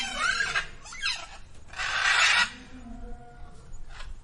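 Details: Female peacock crying at Villa Dolores Zoo; several harsh, rasping screeches, the loudest near the middle, followed by fainter wavering nasal notes and background murmur.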